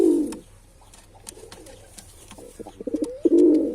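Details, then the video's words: Male pigeon: a low coo fades at the start, then a quiet gap with faint clicks, and a rising flurry of short notes leads into another throaty coo. "Pigeon Sound Effect"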